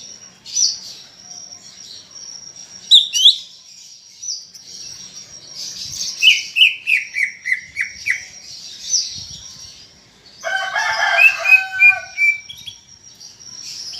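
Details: Greater green leafbird, a caged bird in full song for prompting others: a long high warble with a falling series of whistled notes mid-clip, then a burst of harsh layered chattering near the end.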